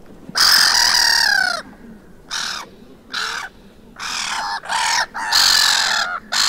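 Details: Black-headed gulls squabbling on a Vannes beach in Brittany, France, 6 March 2023: a drawn-out raucous scream, then a series of clipped, hoarse kaah notes at irregular intervals, several gulls answering each other.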